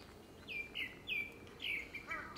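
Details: Downslurred, clear whistles from a Grey-backed thrush in courtship song, timed for a second breeding, given evenly about every half second, with a short warbled note at the close.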